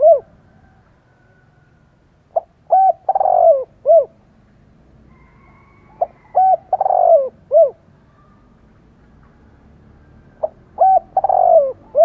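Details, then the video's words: Spotted dove in fighting mood, cooing to provoke others: a phrase of short hollow notes, a vibrating rolling coo and a clipped ending, repeated three times about every four seconds, over a steady low hum. "chim cu gáy máu chiến thúc gù kích bổi cực sung"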